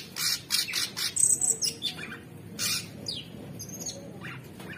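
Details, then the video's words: Energetic cage-kept orange-bellied leafbird song, opening with rapid rasping bursts, then thin high whistled notes and a downslurred sweep, with pauses between phrases. "Cucak Cungkok Super gacor"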